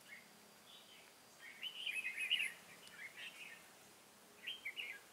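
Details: Cao Phong decoy red-whiskered bulbul in a trapping setup, 23 August 2018, delivering a soft opening note, then a rich burst of rapid bubbling chirps, a shorter phrase and a final twitter, over light hiss.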